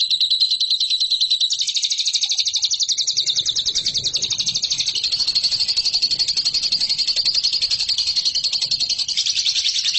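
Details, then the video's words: Lovebird used as a training master for competition birds, pouring out a continuous high, buzzy trill of rapid notes with a faint low background hum. "MASTERAN LOVEBIRD RAHASIA BURUNG JUARA"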